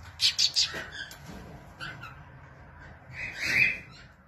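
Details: Cockatiels in a private collection in Belgium give a quick burst of shrill chirps, then a longer harsh screech.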